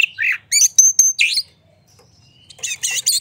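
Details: White-rumped shama song used to provoke other birds: a burst of harsh chattered notes and a pure high whistle, a pause of about a second, then another chattering burst.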